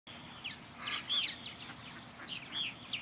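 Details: Purple martins circling a backyard bird house under a blue sky chatter in a busy stream of gurgling, rising and falling chirps and short whistles, several birds overlapping in quick, irregular bursts.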